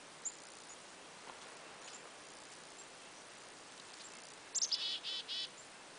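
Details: A Black-capped Chickadee visiting a deer-hunting spot gives one high, quick opening of sliding notes, then three buzzy 'dee' notes near the end; otherwise quiet, faint background hiss.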